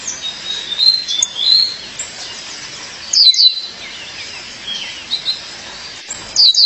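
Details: Female violaceous euphonia calling her mate: short high chirps and descending whistled notes, with a brighter burst of clustered chirps around the middle and again at the end.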